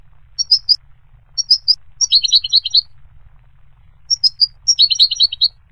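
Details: Goldfinch song of quick high tinkling notes, with paired chirps leading into dense jangling twitters, repeated in two similar phrases.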